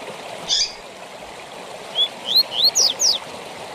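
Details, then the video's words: Brief 'tui tui zel zel' phrase from a coleiro, the double-collared seedeater, used to teach song to seedeaters. A rough opening note, then a tight run of rising whistles and steep high slurs, with steady watery noise behind. "TUI TUI ZEL ZEL DE FIBRA TOP PARA ENCARTE DE COLEIROS E PAPACAPIM"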